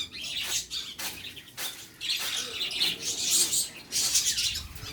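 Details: High, scratchy chirps from birds being fed, in repeated dense bursts separated by short clicks and rustles.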